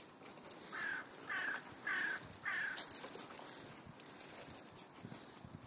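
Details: Crows gathering on an afternoon in Clara Zetkin Park, Leipzig: four harsh, evenly spaced caws about every 0.6 seconds, each slightly falling, followed by low, steady park background noise.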